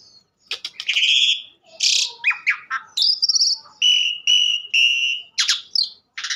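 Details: Asian pied starling in a varied bout of rasping bursts and staccato clicks, settling into a series of steady, evenly spaced whistled buzzy notes.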